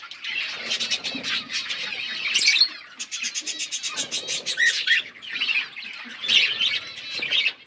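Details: Parrots chirping while eating food, a dense run of bright, rapid chirps and short squawky notes overlapping almost continuously, with brief harsher bursts near the middle and end.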